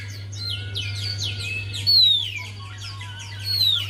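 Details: Javan white-eye singing as a lure for a bird reluctant to sing: continuous, rapid series of descending high whistles with a few louder clear slurs, over a steady low hum.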